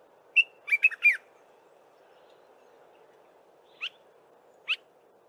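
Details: Dark-capped bulbul singing in the early morning: a short burst of bright, chirpy whistled notes, then two isolated sharp upslurred notes after a pause, over a steady low background hum.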